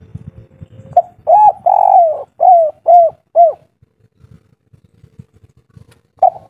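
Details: Spotted dove of local stock in the "kuk 3" style, soft-voiced: faint low rustling and knocks, then a clipped coo, a long rolling coo, and three short curved coos, silence, and one more coo starting at the end.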